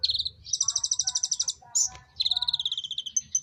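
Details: Konin bird calling during mating: fast, buzzy high trills of evenly pulsed notes, one rising into a longer run, with a brief sharp note between bursts and a faint low hum beneath.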